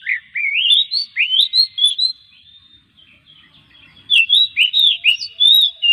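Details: Oriental magpie-robin singing, meant to provoke other magpie-robins to sing daily: rising, curling whistled notes in a quick series, a near-silent gap of about two seconds, then another bright series of upswept whistles.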